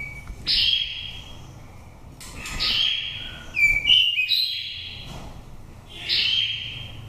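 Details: Oriental magpie-robin with an untamed forest voice, a five-season nest bird from Dak Lak. Loud, high whistled phrases come in bursts roughly every one and a half seconds, each a ringing held note with quick pitch jumps.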